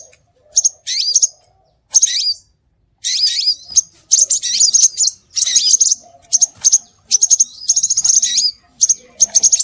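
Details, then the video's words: Scarlet minivet calls meant to attract birds: bursts of shrill chirps and curling high whistles separated by short silences, ending in rapid chirp trills. "Suara Burung Sepah Raja"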